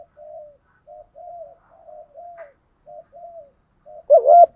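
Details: Spotted dove decoy calling to draw out wild doves: a string of soft, low, short coos at an irregular, quick pace, then one loud, abrupt coo to close.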